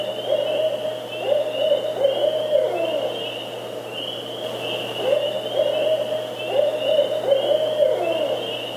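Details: Barred owl (Strix varia) hooting, which it does by day and after dark: rhythmic phrases of deep, resonant hoots, the 'who cooks for you' pattern, repeated twice with a brief pause between series.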